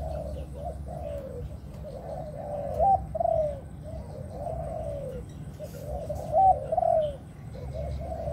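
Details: Pigeon kept in a cage, giving repeated throaty coos in grouped bursts, rising and falling in loudness over several seconds against a low steady hum.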